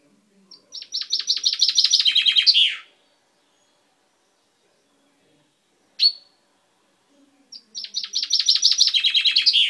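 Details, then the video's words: Chaffinch kept as a pet, beak recently purple, dated 10/05/12: two full song phrases, each a quick descending trill of repeated notes finishing in a flourish, with a single sharp call between them. "Mi pinzon cantando"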